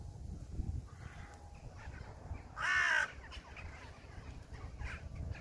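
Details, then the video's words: Crow giving a single loud, harsh, drawn-out caw lasting about a third of a second, with faint background chatter and low rumble around it. "Sounds of Crows"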